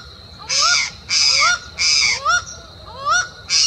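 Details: Acauã (laughing falcon) recorded on a bike trail near Uberlândia, Minas Gerais, Brazil: loud rough bursts interleaved with upward-sliding, nasal whistled notes, about four of each, against a steady thin high tone.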